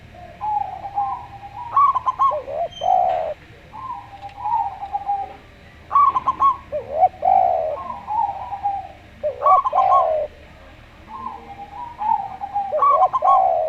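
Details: Local zebra dove with a slow-paced voice. Its quick, clipped high coo notes recur about every four seconds, alternating with a spotted dove's lower, drawn-out calm coos. A faint steady hum sits underneath.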